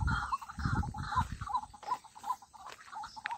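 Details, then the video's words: White-breasted waterhen uttering repeated short, nasal croaks about three per second, with low rumbling background noise at the start that fades as the calls continue. "call of white breasted waterhen | Amaurornis phoenicurus | पाणकोंबडी | जलमुर्गी | डौक"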